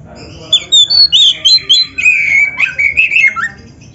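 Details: Oriental magpie-robin (kacer) in full, frequent 'gacor' song packed with 'isian' fill phrases, recorded as a master track for training other birds: a rapid run of short bright whistled notes, then a long slurred, warbling phrase with downward slides.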